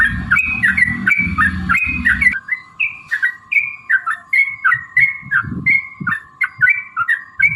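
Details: Yellow-vented bulbul in emotional gacor song, played as a lure to make other bulbuls answer: lively slurred phrases of liquid, downward-bending notes repeated in quick succession over a steady low hum and rumbling noise.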